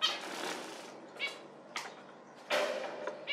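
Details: Zebra finch giving a few short, nasal, harmonic calls spaced about a second apart, with a broad noisy burst near the end and faint hiss between the calls.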